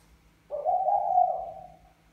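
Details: Single long, throaty coo from a male spotted dove of the Mã Phấn type courting a Bài Lối female, starting sharply and slowly trailing away.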